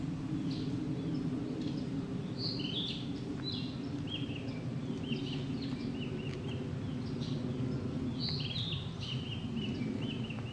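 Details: Singing male Narcissus flycatcher in Tokyo, 7:30 a.m., 6 May 2013. The song is rendered as "Topo Gigio, kuru-kuru-kuru". About eight clear, high, whistled phrases repeat every second or two over constant low hum and background noise.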